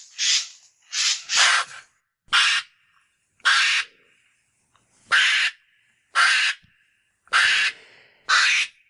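A Eurasian jay gives harsh, rasping screeches, about nine short tearing bursts at an uneven pace, some doubled close together, loud against a quiet background.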